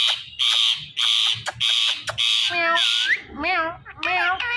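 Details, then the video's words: Pet talking parrot: a series of loud, harsh, buzzy screeches, then wavering speech-like syllables with rich harmonics. "My So Friendly Talking Parrot's Talking Clips Compilation"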